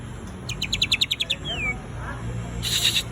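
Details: Greater green leafbird singing light 'shots' with thin fill notes: a rapid burst of about nine high ticking notes, then a falling whistle and a short buzzy high flourish, over steady background hum.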